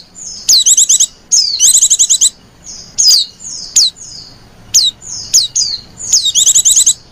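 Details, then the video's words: Female white-eye calling to attract other white-eyes, giving short high twittering trills mixed with single sharp downward-sweeping notes, the phrases coming irregularly with brief quiet gaps. "Burung pleci betina lenjeh manja pemikat burung pleci"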